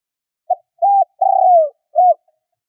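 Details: A spotted dove calling as a decoy to draw in other doves coos a soft low note, two hollow coos and a drawn-out falling coo, about four notes in two seconds, with no other sounds.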